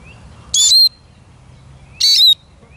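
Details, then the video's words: Eurasian siskin repeating a brief high, squeaky call twice, about a second and a half apart, each a bright falling whistle with a buzzy edge, over quiet background. "Как поет чиж"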